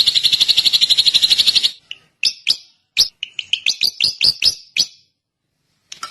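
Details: Drongo singing: a fast, even buzzy trill lasting nearly two seconds, then a pause and a varied series of sharp, separate chirping notes, some rising and some falling, ending after about five seconds.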